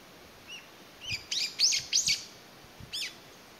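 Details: Single Brown-eared Bulbul searching for lost family members in May 2021, giving faint rising squeaks that build into a cluster of loud harsh screeches, then one more after a short gap.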